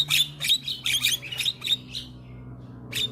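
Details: Young Javan myna singing vigorously while bobbing its head: harsh, noisy chattering bursts with squeaky notes, about three per second, then a short pause and one final burst.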